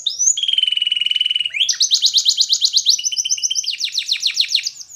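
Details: Belgian canary song for training young canaries: a long steady rattling trill, then loud rapidly pulsed rolls and quick repeated down-slurred notes, very clean and high.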